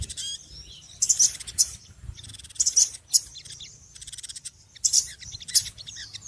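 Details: Small birds in a noisy group, sending out harsh, buzzy bursts of high chatter in quick clumps, with softer twittering between them.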